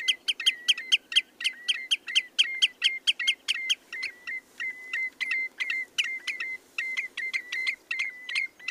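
A common redshank gives a fast run of sharp, ringing piping notes, about two to three each second, with no other sounds around it.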